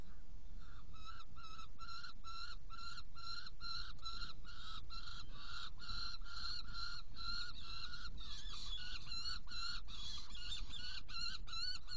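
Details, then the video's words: Prey delivery and feeding of two young Saker falcons, Hungary, 16 June 2018: a long, steady series of harsh, clipped notes, about three per second, becoming busier and more varied toward the end, over low rumble. "Saker Falcon Hungary 2018-06-16 Prey delivery and feeding two Young ones"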